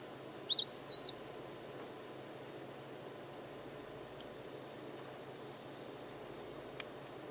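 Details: An Eastern Wood-Pewee at Donnelley WMA, South Carolina, gives one clear, high, slurred whistle that rises and then levels off, over a steady high insect drone.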